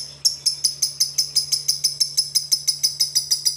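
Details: Lovebird training recording for encouraging long ngekek chatter: a steady series of sharp high clicking notes, about three per second, evenly spaced, with a faint low hum beneath.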